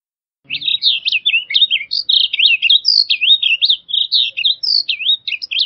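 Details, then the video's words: Blue grosbeak singing a rapid, continuous warble of slurred, jumbled high notes that runs for over five seconds without a break, with a brief low thump at the start. "Blue Grosbeak Singing - Azulillo Grande Cantando"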